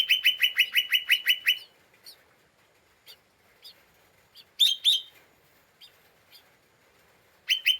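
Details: Lesser green leafbird in an agitated, emotionally unstable state, giving a chattering ngeriwik call used to provoke other birds. A rapid burst of about ten harsh, buzzy notes in under two seconds, then scattered sharp ticks, a second brief harsh burst, and another at the end.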